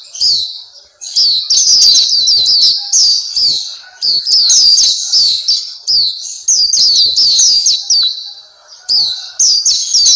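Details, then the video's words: Sustained bright song of the Black-capped white-eye, or Pleci Papua, meant for training kept birds: dense, very high trills of down-slurred notes in phrases of a few seconds, broken by short quieter spells. "Terapi Masteran Pleci Black Capped/Pleci Papua"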